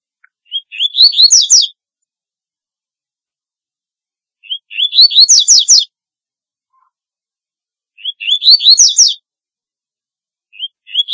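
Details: Double-collared seedeater song used to call: phrases repeat roughly every three and a half seconds, each a rising string of thin whistles ending in rapid, bright, descending notes; no other sounds.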